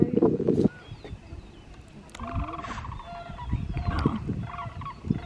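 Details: Migrating Sandhill Cranes, far off on a field and taking off, seen from an observation tower at Jasper-Pulaski Fish & Wildlife Area, Indiana, October 9, 2022, give rolling, trumpeting rattles in loose bursts behind wind rumble and a brief voice.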